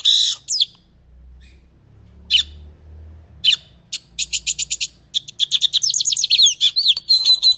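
Lined seedeater singing: a few spaced, high sharp notes, then a fast run of bright repeated chips ending in a thin buzzy whistle, over a faint low rumble.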